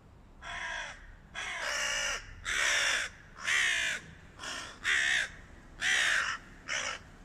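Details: Hooded crows from a flock battling a stray cat, giving a series of eight harsh, raspy caws at irregular intervals over about seven seconds, each call rough and broad, some longer and drawn out, with a faint background hum.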